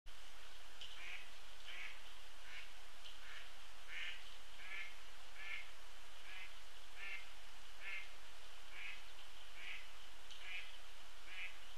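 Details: Adult female Sharp-shinned hawk perched on a post behind the Cornell Lab feeders beside Sapsucker Woods and its pond, 22 January 2017: a steady series of short, sharp, high notes about every three-quarters second over low rumble.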